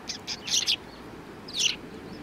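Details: Several sparrows recorded on 2 January 2019 give short, bright chirps: a few quick notes near the start, a denser cluster of harsh chirps around the middle, then one louder chirp burst later, with soft background noise.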